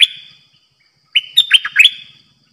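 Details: Caged decoy bulbul used for trapping, singing in the 'dok taeng' style: a brief clipped note, a pause, then a bright, rich whistled phrase of four or five quick slurred notes dipping and rising, lasting about one second.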